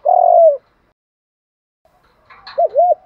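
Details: Spotted dove cooing in contest, a voice style called Thổ pha đồng: one long, steady mid-pitched coo, then a pause and a quick pair of bouncing, looping coos.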